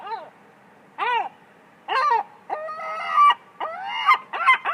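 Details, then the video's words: A gull on a roof gives harsh, nasal squawks, first spaced about a second apart, then running into a quicker series of wailing, rising cries. "Roof Seagull Sound Effect Çatı Martı Ses Efekt"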